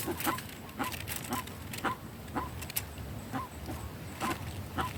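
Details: Guan making noise in the sertão: a series of brief, honk-like yelping notes, about two per second, uneven in rhythm, with faint background hiss.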